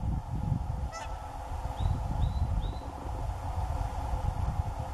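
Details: Whooper swan (Laulujoutsen): one brief honk rich in stacked overtones near the one-second mark, then three faint short upslurred notes in quick succession, all over a steady low rumbling background.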